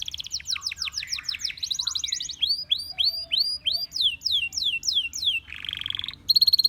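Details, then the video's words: Belgian canary in chorus with other canaries: a fast trill of falling notes, a buzzy passage, a run of arching whistled swoops, a harsh rattle, and a brief high trill. "The sound of This Belgian Canary Attracted Many Canaries to Sing"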